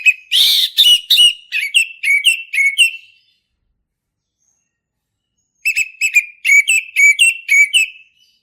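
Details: Ngeplong-style song of a male orange-headed thrush in a forest setting. Short, sharp whistled notes repeat about twice a second, falling silent for over two seconds before the same rapid series resumes.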